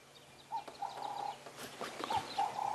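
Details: A crested francolin behind a safari vehicle on a dull grey late-September evening in South Africa gives raucous, harsh notes in short repeated bursts at mid pitch, over a low engine hum and faint other birds.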